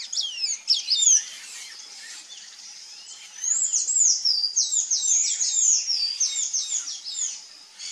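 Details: Sayaca tanager singing in the wild. High, thin, squeaky notes slur up and down, and a fast run of repeated twittering phrases carries on for several seconds.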